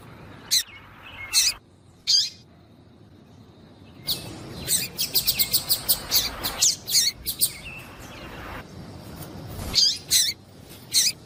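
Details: High chirping from a female double-collared seedeater, used to get the male singing. Scattered single chirps give way to a fast, dense run of repeated tweets midway, then sparser notes again.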